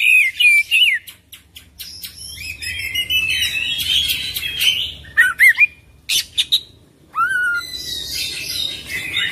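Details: Oriental magpie-robin in full song: loud bursts of whistled, slurred phrases and sharp chattering notes, with short pauses between phrases and clear gaps of silence.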